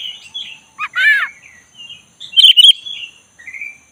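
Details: Oriental magpie-robin of the black-breasted type in relaxed rolling 'ngeroll' song meant to stir a sluggish bird into singing: soft warbled phrases, then a harsh ladder-like burst and a cluster of bright sharp notes, with a thin constant high hum behind.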